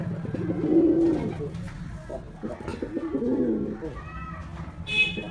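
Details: Male white domestic pigeon performing, giving two low, rounded, throbbing coos. Each lasts under a second and is separated by about two seconds of muffled background noise. A brief high tone sounds at the end.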